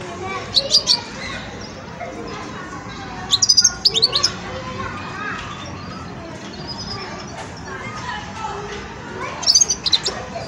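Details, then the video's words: Young European goldfinch in its song-learning stage, giving short bursts of high, thin twittering notes near the start, around the four-second mark and again near the end, with quiet chatter and background noise between. "جان مقنين ويداني في مرحلة فرز التغريد"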